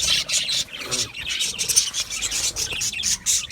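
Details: Chirping budgies producing short bursts of high scratchy warbling separated by brief pauses, several birds calling together.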